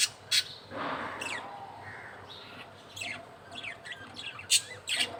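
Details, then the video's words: Budgerigars, a male feeding its chick: sharp high chirps and short squawks, some rising, scattered among brief clicks and a soft lower warble. "male budgie feeds the baby | budgies feeding sound"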